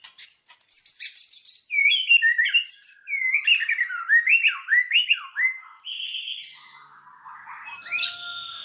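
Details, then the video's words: White-rumped shama singing to provoke other shamas: a rich run of looping whistled slurs and chirps, ending in softer notes and a short burst of chatter. "SUARA BURUNG MURAI BATU, PANCINGAN MURAI BATU BANGKITKAN EMOSI, AGAR BONGKAR MATERI"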